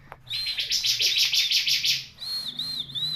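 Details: Bar-winged prinia singing: a fast chattering burst of dense, buzzy high notes for about two seconds, then a clear whistled phrase that wavers up and down, with faint low background rumble.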